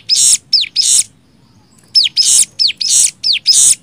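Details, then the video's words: Cigun singing nembak style as tutor material: two loud bursts of a high, hooked whistle with a hissing tail, a short pause, then four more of the same bursts in quick succession. "MASTERAN CIGUN NEMBAK 6 VARIASI"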